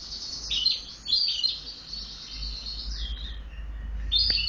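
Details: Tame Eurasian tree sparrow chirping actively: short bright chirps in scattered bursts, a quick pair near the start, softer notes midway and a sharp chirp near the end, over a low steady hum.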